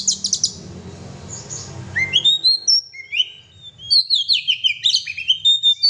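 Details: Gacor oriental magpie-robin (kacer): a few sharp high chips, a quieter stretch, then a lively series of varied whistled notes rising and falling, repeated in quick succession.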